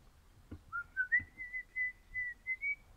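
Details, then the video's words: Crimson rosella, orange colour form, kept as a pet indoors, singing: a series of clear, pure whistled notes rising step by step then levelling off, about eight notes in three seconds, with faint soft knocks in the background. "Happy Parrot Crimson Rossela Pennant Orange Singing"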